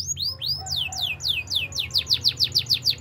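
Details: Belgian canary singing in the morning, a series of clear falling whistled notes repeated about five times a second, growing faster toward the end, over a soft low background rumble.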